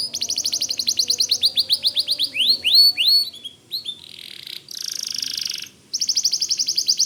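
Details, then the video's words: White canary singing nonstop in gacor style, suited as tutor song for white-rumped shamas: fast rolling high trills, then a run of sharp downward-curving whistled sweeps, a brief buzzy burst and a renewed rapid trill. "Suara Kicau Kenari Putih Gacor Dor Cocok Buat Masteran Murai Batu"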